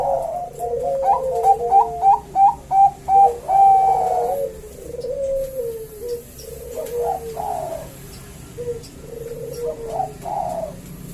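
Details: Two male Bangkok-type zebra doves answering each other, calling actively, recorded as a lure to prompt singing: a rapid run of bright staccato notes ending in a drawn-out coo, answered by softer, lower rolling coos in a small room.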